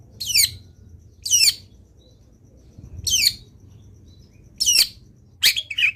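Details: Loud, rasping long-tailed shrike notes from a lively, varied singer, recorded to make other shrikes sing: five grating calls at uneven gaps, the last two close together, over a soft background hum.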